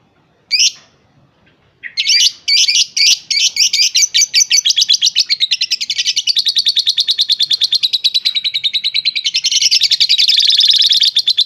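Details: Lovebird, a three-and-a-half-month-old pair, giving rapid high chattering and chirping calls, opening with a brief note then a dense run of sharp repeated chips that blur into a continuous buzzy trill near the end.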